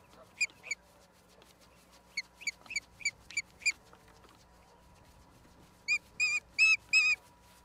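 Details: Osprey calling at its nest, Charlo, Montana, USA, April 26, 2022, live camera: two chirps, a run of five quick whistles, a quiet gap, then four louder, longer, slightly drawn-out whistled cries.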